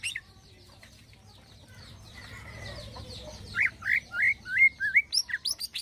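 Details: Greater green leafbird singing energetically with fine 'isian halus' filler: faint chatter and a soft hum come first, then a rapid closing sequence of wavering whistled notes, some swooping up and down.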